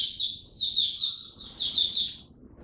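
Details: A caged mata puteh, or Oriental white-eye, in buka song gives three clear bursts of high, sweet warbling twitter, the last trailing away.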